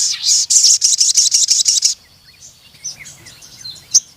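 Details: Crimson sunbird: a steady, rapid trill of about a dozen very high, sharp notes over two seconds, followed by soft scattered chirps.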